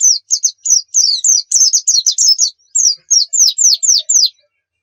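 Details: Lively white-eye (pleci) song of rapid high, downslurred chirps, about three or four each second, grouped in a busy middle section and ending in a tidy row of clear slurs.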